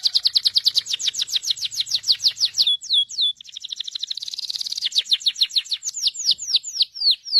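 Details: Canary in Morocco singing a long rapid rolling trill of high whistled notes, shifting into louder downward-sweeping slurs, a brief buzzy passage, then more fast repeated trills.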